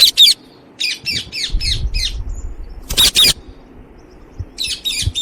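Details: Alexandrine parakeet giving harsh, raspy squawks in quick runs of four to five short notes, then a louder double screech, with low rumbling noise underneath.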